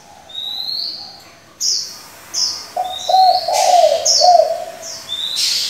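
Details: Spotted dove decoy with many voices, kept to stir wild doves and to teach young doves; a run of deep, rolling coos in the second half, overlaid by sharp, upward-sweeping whistles repeated about every second.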